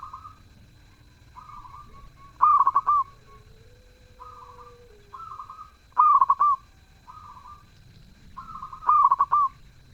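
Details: Zebra dove in full song, delivering three loud, rapid, stammering coo phrases about every three seconds, with quieter plain coos from neighbouring doves in the gaps.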